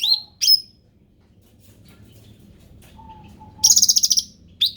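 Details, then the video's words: Ruby-throated bulbul, described as endemic, opens with two sharp slurred notes, falls quiet, then bursts into a fast high rattling trill and a final note, over low background noise. "SUARA ASLI CUCAK RANTING"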